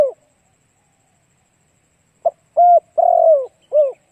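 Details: Spotted dove cooing to attract wild doves. A falling coo ends at the start, then a gap. A complete phrase follows: a short note, a flat coo, a long burry downslurred coo and a closing falling coo. Background is quiet.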